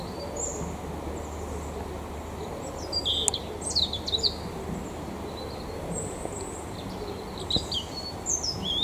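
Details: A mistle thrush in the Eifel, Germany, sings short, fluty, high phrases separated by brief pauses, over a steady low rumble of background noise.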